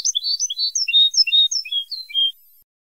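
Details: Moroccan Ceuta-style tape of European goldfinch song, assembled from captive birds' recordings and other wild birds' notes. A quick sequence of high, sweet twitters and short buzzy slurs lasts just over two seconds, then stops.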